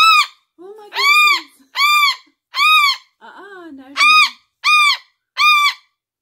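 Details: Adopted pet umbrella cockatoo being loud indoors: seven harsh, rich, ringing screams, each about half a second long and coming roughly every three-quarters of a second, with a person's voice speaking in the gaps.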